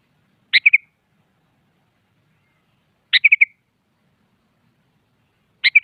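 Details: Sooty-headed bulbul singing in the morning, challenging a rival to a singing duel; three short bubbly phrases, each a sharp note followed by two or three quick warbled notes, spaced about two to three seconds apart against silence.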